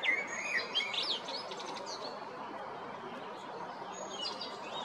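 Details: Spring 2022 recording of a male common blackbird at Jarun or Prečko, Zagreb, Croatia: a short burst of fluted, warbling whistles at the start, then fading into a quieter background of distant bird twitter.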